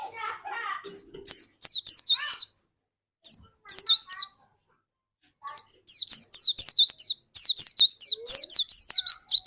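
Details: Energetic song of a dakun white-eye, kept as a lure to spur other white-eyes to sing: dense runs of high, quick downward-sweeping whistles in long bursts separated by short pauses, after some lower chattering at the start.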